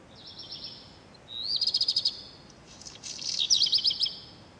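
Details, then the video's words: A redstart, likely a black redstart, in Wattenheim, Pfalz, Germany, sings two short, high phrases about two seconds apart. Each is a thin whistle that breaks into a scratchy, crackling rattle. "Rotschwanz Gesang"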